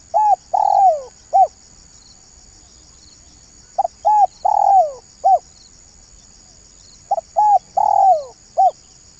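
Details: Spotted dove call used as a lure for trapping, in three repeated phrases of low cooing notes: short coos followed by a longer falling coo, each phrase about three seconds apart, over a steady high electronic hum.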